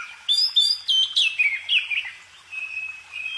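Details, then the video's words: Songbird delivering a rapid run of clear whistled notes, several rising then falling sharply, followed by a softer sustained warble; no other sounds. "kicau burung"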